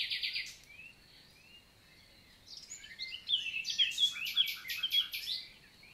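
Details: Common nightingale singing on a summer morning, 11 June 2023, countryside forest in Lot, south of France. Rapid stuttered notes open, then soft slurred whistles, followed by a loud sequence of sharp, repeated clicking phrases with chirps between them.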